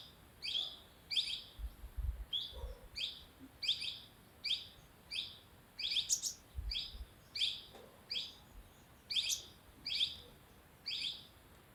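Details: A sunbird in Dehradun, Uttarakhand, gives sharp, high chips and twitters, repeated roughly twice a second, with faint low thumps in the background.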